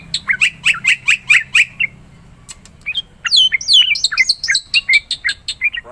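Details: Black-winged myna singing hard to prompt a silent myna: a regular series of seven harsh buzzy notes, a brief pause, then a tumbling cascade of descending whistles and squeaky chatter.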